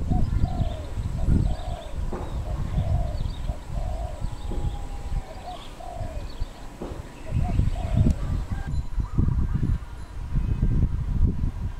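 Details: Dove calling in the wild in Cambodia on 1 May 2020, giving a long series of low hollow coos at a steady pace, with strong wind buffeting throughout and some thumps.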